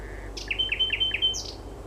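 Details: Common nightingale at night, about 23:30 on 4 May 2016, along the River Mole at Gatwick Airport, sings one quick phrase: a high opening note, four rapid repeated chirps, then a thin, very high closing note over a faint low rumble.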